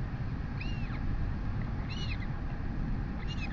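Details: Begging chick of the royal albatross, fed by its mother at a New Zealand nest webcam, 11:24 am, 23 August 2020. Three high, arching squeaky notes spaced over a few seconds, with heavy wind noise throughout.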